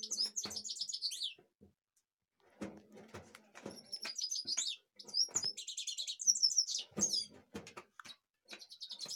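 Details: Kashmir goldfinch song, a string of fast, high, tinkling and twittering phrases with short pauses between them, accompanied by scattered clicks and taps.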